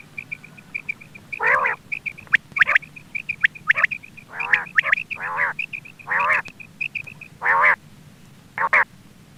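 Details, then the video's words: Quail calling as a hunting lure: a run of quick, high, even pips over which loud, raspy, nasal bursts break in roughly every second. "Quail bird sound for hunting | Btair voice"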